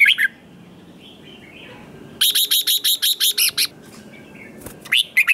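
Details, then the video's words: Red-whiskered bulbul in heated competitive singing: a brief whistled phrase opens, then a fast run of about ten sharp, evenly spaced chipping notes, then more bright whistled notes at the end. "Kích Chào Mào Hót Ché/ Kích Chào Mào Bổi Hót Đấu Mới Nhất / 100% Căng Lửa / Nghe Là Phải Đấu"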